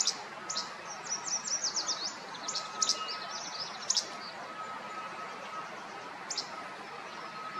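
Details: A least flycatcher song: sharp, high, snappy notes in quick bursts, with a faint steady hum behind.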